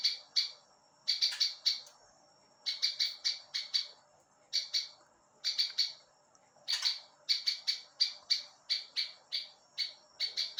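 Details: Ciblek ilalang, a prinia, singing as a tutor recording for training other songbirds: bursts of sharp, buzzy chirps repeated in quick rhythmic groups, each burst about half a second, separated by short pauses.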